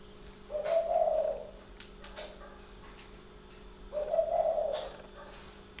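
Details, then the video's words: Night cooing of a spotted dove kept at a bird garden in Ba Vì, Hanoi, Vietnam. Two hollow, low-pitched coos about three seconds apart, with brief sharper knocks between them and a constant background hum. "chim gay đêm"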